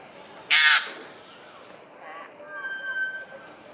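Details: Magpie geese in the Australian Outback aviary at Mandai Bird Paradise, Singapore, with seven goslings about one week old and three adults: one loud, harsh honk, then a run of thin, high, wavering calls; faint voices behind.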